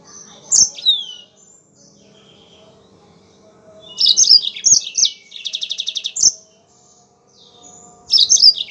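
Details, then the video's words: Yellow-fronted canary singing, used as a training recording: scattered bright chirps, then a dense phrase of sliding notes and a fast, even trill, separated by quiet gaps of about two seconds. "MASTERAN BURUNG MOZAMBIK GACOR"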